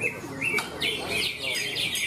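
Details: Competition song of a greater green leafbird at a bird-singing contest in Malinau, North Kalimantan, Indonesia: quick high whistled notes and slurred upward sweeps in short bursts, over a murmur of people.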